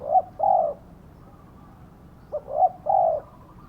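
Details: Lure spotted dove with a karom-type song: two paired phrases, each a quick clipped note followed by a fuller, longer mellow coo, separated by a quiet gap.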